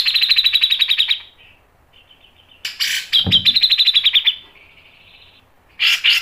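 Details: A grey-cheeked bulbul delivers fast, harsh repeated notes in a descending rattle, a soft trill, a noisy rasping burst, then another sharp chattering run; sung in the ngepik and nembak style.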